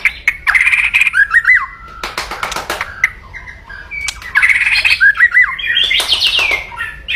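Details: White-rumped shama giving loud aggressive crackling to provoke opponents; harsh rattling bursts alternate with quick looping whistled notes, in two similar phrases separated by a pause of clicking.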